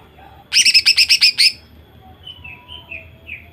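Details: Female greater green leafbird singing to provoke males into song: a burst of about eight harsh, buzzy, rapidly repeated notes lasting one second, then soft thin whistled notes falling in pitch.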